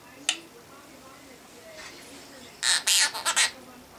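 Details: Captive male half-moon conure singing a favourite nursery song: a faint click early on, then a late burst of four or five loud, raspy, screeching syllables.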